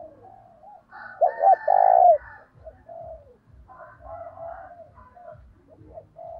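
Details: Energetic lure call of a spotted dove: one strong phrase of two short notes and a long held coo. It is followed by softer, rougher cooing from other doves over a faint low thudding.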